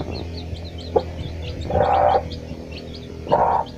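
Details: Chicks and their mother hen foraging for food: faint, high, thin peeps repeat steadily throughout, with a few louder, harsh, noisy bursts near two and three and a half seconds.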